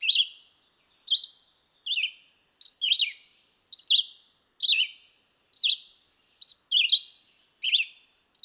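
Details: Short whistled phrases from a red-eyed vireo, rising and falling slurs repeated about once per second with clear gaps of silence, varying from phrase to phrase; no other sounds.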